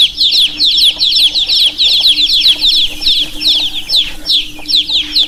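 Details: Baby chicks chirping in a busy chorus of high, shrill peeps that slide downward, overlapping calls packed closely together with several birds calling at once.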